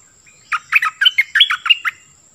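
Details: Cream-vented bulbul kept as a decoy bird, in full form: a quick run of about eight bubbly, chattering notes that jump between low and higher pitches, delivered in a tight burst, with a faint steady high tone behind.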